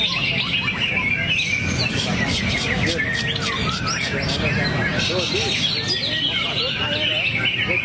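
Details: Greater green leafbird pouring out its repertoire in the 'teler' state: fast chattering trills and twittering notes that run on without pause, over constant low speech and crowd hum, with brief lower slurred whistles near the middle.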